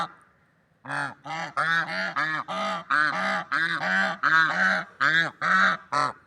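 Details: A steady, excited stream of about sixteen short, nasal swan honks in nature, each clearly separated and evenly loud.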